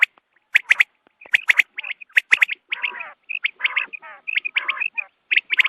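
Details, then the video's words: Quail calling at dawn, for use in hunting: dense bursts of short squeaky, squawking notes, each with a sharp click at its start, running in quick uneven groups with brief gaps. "batair ki awaz subha k liye"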